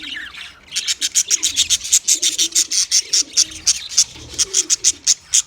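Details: Budgies chirping as a fast, even series of sharp, high clicking chirps, about four each second, over faint soft warbling in the background.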